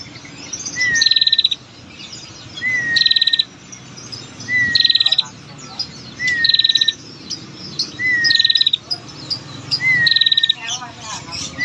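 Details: A female bar-winged prinia gives its long trilling call, used to provoke males to sing. Six regular phrases, one roughly every two seconds, each a short rising whistle joined to a rapid bright trill.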